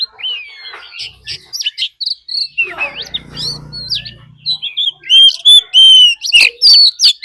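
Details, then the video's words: An Oriental magpie-robin decoy bird sings a fighting song alongside a wild female's call to stir up birds: soft varied chirps and slurred whistles, with a brief low hum, building to loud, clipped whistled notes. "Choè than mồi hót đấu +tiếng chim mái rừng"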